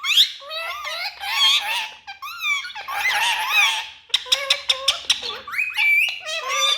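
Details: Parrots talking indoors with wavering, speech-like harmonic phrases, then a run of sharp clicky notes, followed by steadier whistled tones near the end.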